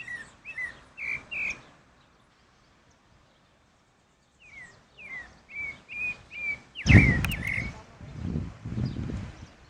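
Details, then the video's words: Pale-breasted thrush (Turdus leucomelas) singing in nature: two runs of short, slurred whistled notes about two per second, broken midway by a loud rustling thump, with low background noise. "Sabiá barranco cantando na natureza"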